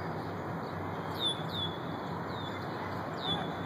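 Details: Red-winged blackbird harassing a fishing heron at Lincoln Park South Pond, Chicago: four thin, high, down-slurred whistles spaced irregularly over about three seconds, above a steady low rumble of background noise.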